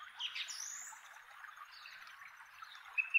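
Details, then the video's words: Male Song Thrush giving its characteristic tree top call from a chestnut tree in inland Kapiti, New Zealand: high thin whistled and chirpy notes, a brief rising whistle early on, sharper louder notes near the end, steady background hiss. "Song Thrush in Chestnut Tree / Manu-kai-hua-rakau"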